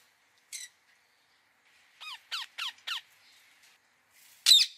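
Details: Ringneck parakeet uttering a single sharp screech, a quick set of four down-slurred harsh squawks, then one loud piercing scream at the end.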